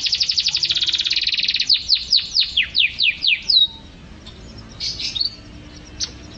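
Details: Energetic canary song from a masteran tutoring recording: opens with a fast, dense rattling trill, slows into a series of descending whistled sweeps, then a few scattered faint chirps.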